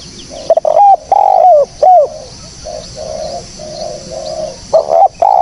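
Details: Spotted dove calling, a clean recording meant as a lure for bird trapping: loud hoarse coos near the start and end, with a run of softer, evenly spaced low coos between them over a steady faint high hiss.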